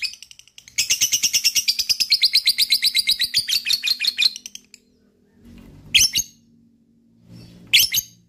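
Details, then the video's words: Long lovebird ngekek, a fast run of about eight scratchy, buzzy notes per second lasting several seconds, then two isolated shrill chirps with soft low rustling; played to draw other lovebirds into trilling. "DENGARKAN suara LOVE BIRD ini,,bisa m3micu lb untuk ngekek"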